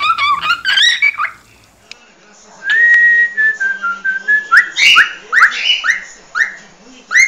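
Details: Cockatiel giving its species' original song over steady background hum: a jumble of short whistles, then a long wavering whistled tone, followed by a string of short upward-sweeping notes repeated at an even pace.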